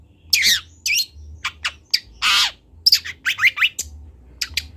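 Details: Long-tailed shrike, a local bird from Kendal, in a master recording for training birds to learn sounds: harsh squawking bursts and scratchy chirps at irregular intervals over a low steady hum.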